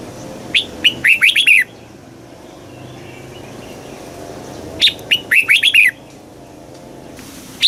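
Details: Thai red-whiskered bulbul, southern master-style song for stimulating caged birds and tutoring chicks: a rapid run of clear, warbling notes about a second long, repeated after roughly four seconds of quiet, then one more sharp note.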